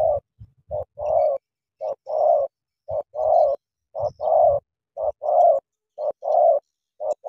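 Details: Spotted dove of the Cà Mau 'tú' style, a decoy bird meeting a wild rival, cooing in a steady run of short phrases, each a quick soft note or two then a longer mellow falling coo, about one phrase per second.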